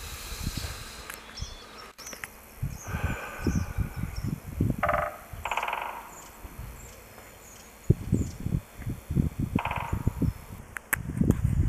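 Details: Woodpecker drumming to call another bird, 27 March 2018 at 11:46: several short, fast resonant rolls spaced a few seconds apart, heard through heavy buffeting wind and a constant high-pitched whine.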